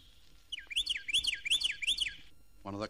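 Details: A Carolina (Florida) Wren in Florida, a year-round singer, sings four quick, rolling whistled phrases in a rapid, evenly spaced series; a man's voice begins just as the song ends. Recorded for a 1969 record.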